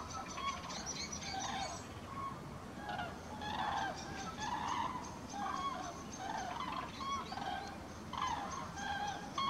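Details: Flying common cranes over Halle Westfalen, 5 March 2018: a dense chorus of resonant, trumpeting calls from many birds, rising and falling in waves across the whole stretch, with soft background noise.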